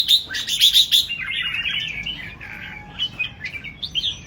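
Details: Red-whiskered bulbul singing: a burst of bright, high chirps repeated quickly, then a lower run of liquid, warbling whistled phrases that rise and fall, ending in short sweet chirps.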